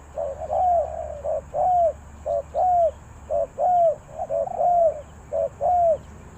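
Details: Steady cooing from a spotted dove, Ninh Thuận, Vietnam, in the Thai 3 kuk hoi style. Deep, rounded two-part phrases, a clipped note and a drawn-out bowed coo, repeat regularly roughly every second over a low rumble.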